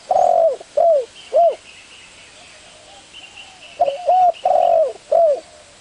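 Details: Spotted dove coos in two phrases, a long sustained note followed by down-curling shorter ones, with a faint higher twittering from another bird in between.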